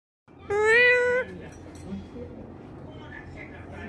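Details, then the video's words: Talking parrot giving one drawn-out, meow-like tonal call of about three-quarters of a second. It has stacked harmonics, rises slightly, then holds steady before cutting off. Only low background noise follows. "cute talking parrot"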